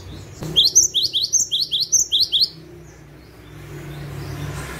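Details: A cinereous tit, recorded as a trapping lure call, gives a quick burst of about ten sharp, high chirps in under two seconds, then falls silent over a low background hum.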